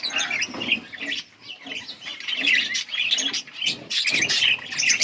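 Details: Budgerigar chirping recorded August 15, 2024: bursts of rapid warbled chatter and squeaky notes rising and falling in loudness, several birds calling over one another.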